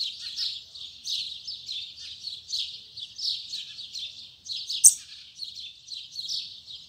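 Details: Tui tui zel zel style song of a double-collared seedeater in the morning: a fast stream of buzzy, scratchy high trills, interrupted midway by a brief sharp click.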